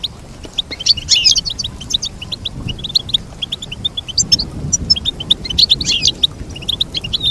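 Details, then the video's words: Goldfinch song: rapid series of short high chirping notes with brighter twittering bursts around one and four to six seconds, over a low rumbling background. "Teach your goldfinch to sing beautiful motivational songs"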